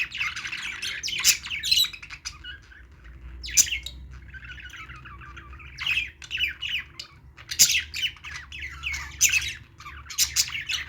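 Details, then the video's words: Budgerigars playing, with bursts of harsh squawking chirps separated by quieter stretches, including a smooth rolling warble in the middle and loud sharp notes toward the end. "budgies playing sounds"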